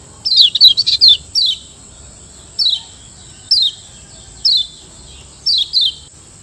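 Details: Yellow white-eye (kecial kuning) from Lombok, a caged bird's master song used to train other birds. A quick burst of high chirps opens, followed by single descending whistled notes roughly every second, with a steady thin high whine throughout.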